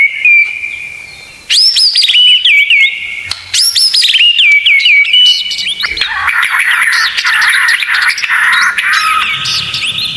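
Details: White-rumped shama tutor song: a held whistle, then two loud rising sweeps each followed by quick falling slurs, giving way to a dense, chattering, buzzy jumble of notes.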